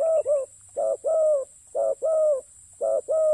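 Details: Close spotted dove at a ground decoy site repeats a husky short coo followed by a longer level coo, four such pairs in quick, fairly even succession over a faint constant hiss.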